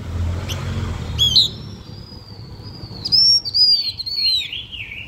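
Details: Blue-winged minla in lure song used to attract other birds: a sharp chip, then a long thin level whistle, rapid stuttering notes and a wavering descending warble, over low background rumble.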